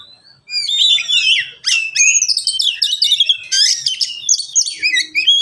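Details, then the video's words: Caged Oriental magpie-robin, one of three pet birds answering each other, singing a varied run of sweet whistles, rapid chirps and buzzy trills mostly high-pitched, nearly continuous after a short pause at the start; used as a tutor song for lazy singers. "Kicau mania sederhana cocok untuk masteran burung Kacer yang malas bunyi"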